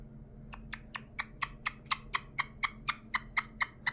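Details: A male caique parrot, recently adopted, with a slight scissor beak that has been groomed, gives a rapid series of about fifteen sharp, dry clicks, roughly four per second, over a low indoor hum.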